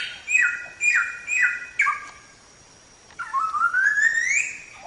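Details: Samyong, or Chinese Hwamei, in masteran song: four repeated short downslurred whistles, a brief silence, then a long rising whistle.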